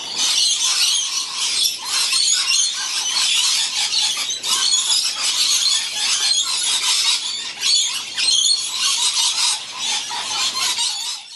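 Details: A flock of hungry lorikeets in winter, June–July 2016, keeps up a dense, continuous din of shrill, overlapping screeches and chattering squeals, with no pause throughout.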